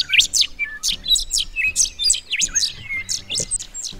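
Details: In Australian woody grassland, a Rufous Songlark taking off and flying gives a very rapid run of high, sharp, slurred notes, tumbling almost without pause over a faint low hum; another songlark may call from a high perch in the background.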